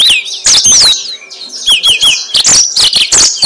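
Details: Yellow-fronted canary (mozambik) song used as a lure for trapping birds: rapid high twittering with sweeping whistled slurs and buzzy notes in bursts, brief pauses between phrases.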